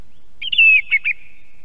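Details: Song thrush recorded by a live osprey nest camera in Estonia: one loud, clear whistled phrase of a few slurred notes ending in a long, level tone.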